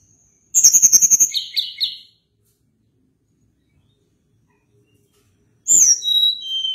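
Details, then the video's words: Sunda blue robin delivering long rolling song: a rapid high trill of repeated notes flowing into buzzy phrases, then a silence before a new run of descending whistles. "Ocehan Tledekan Gunung gacor Ngeri Bikin Tledekan Apapun ikut Gacor Ngerol Panjang"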